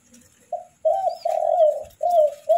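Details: Spotted dove chicks during a feeding make steady, low, breathy notes in long drawn bursts, one short, one long, then another, in a quiet indoor space.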